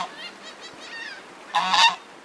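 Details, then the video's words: A tame goose approaching to be fed, which the person suspects has lost a companion, gives a few faint, reedy calls, then one loud, harsh honk lasting under half a second. "strange goose noises"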